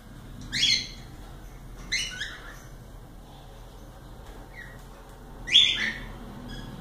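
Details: Cockatiels kept as pets give three separated shrill, scratchy screeches across several seconds, with a faint short chirp between them and steady low indoor hum beneath.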